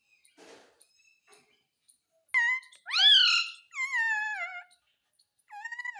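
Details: Parrot speaking as it asks for food (roti): quiet rustles, then three loud word-like syllables in quick succession, the second sharply upswept, with another shorter utterance at the end.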